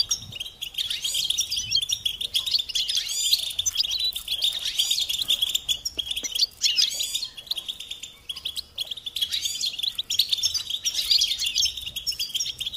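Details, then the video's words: European goldfinch song used as a teaching tape for young songbirds: a dense, steady tinkling twitter of rapid chirps and trills that runs continuously, with brief metallic notes sprinkled through. "Encouragement to motivate and support goldfinches in songs"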